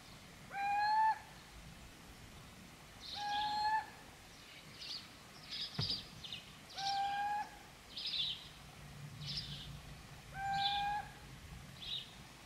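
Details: Little owl (Athene noctua) in Gmina Podedwórze on 2 November 2018 gives four plaintive, slightly rising hoo-ee notes, about one every three seconds, while higher, fainter chirps from other birds sound between them.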